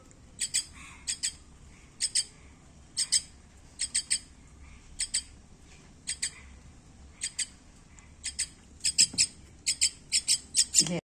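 Common myna giving harsh, scratchy squawks in short paired bursts, roughly every half second to a second, over a faint low hum.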